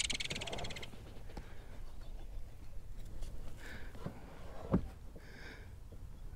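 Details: A Belted Kingfisher at a large pond gives a brief, dry, rapid chattering rattle, followed by a few harsh nasal calls over low rumbling background noise.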